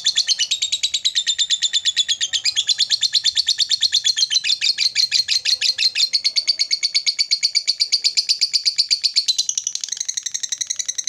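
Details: A caged lovebird delivers a long ngekek, a fast, unbroken, high chattering trill of rapid pulses that never pauses for eleven seconds, meant to call and provoke a rival bird.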